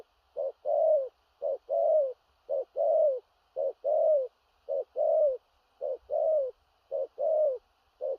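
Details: Big-bodied spotted dove giving very regular 'thổ rặc' style coos. Each phrase is a short low note then a fuller, slightly falling coo, and pairs repeat evenly against a quiet background.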